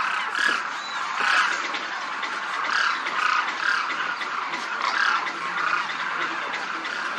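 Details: Demoiselle crane flock in formation over a Rajasthan village, India: distinct rolling croaks rising above the chorus, about every second or two, over a constant murmur of many more calling birds.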